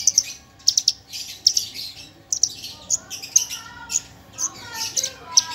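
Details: Javan bush lark of race parva delivers spaced pairs of high, sharp chirps and thin buzzy notes, with a few lower whistled phrases appearing toward the end over faint hiss.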